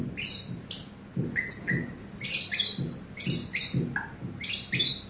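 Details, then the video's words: Eurasian tree sparrow song used as a master recording for training birds: a busy, uneven series of high, sharp chirps mixed with a few lower short notes, in close irregular bursts. "MASTER BURUNG GEREJA"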